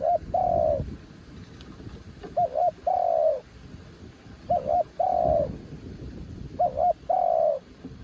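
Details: Decoy spotted dove described as a mountain bird, singing in strong wind: four repeated phrases about every two seconds, each a fast wavering double coo then a longer falling coo.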